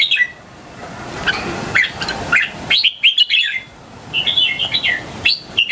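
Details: Red-whiskered bulbul, a young bird countering other bulbuls, sings melodious chirpy whistled phrases, rising and falling, over a faint background hum.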